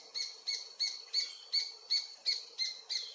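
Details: Paradise jacamar (Galbula dea dea), an adult of undetermined sex, sings by the Comte (Oyak) river in French Guiana at 11:00 on 8 November 2023. Nine high, piercing notes are repeated steadily, about three per second, against a quiet background.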